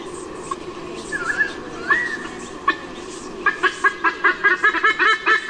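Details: White-bellied sea eagle at Sydney, Australia, 16 Oct 2018: a parent, while young E21 is away from the nest and the parents drive off intruders, gives a few thin slurred whistles, then a fast run of loud honking goose-like notes, two or three per second.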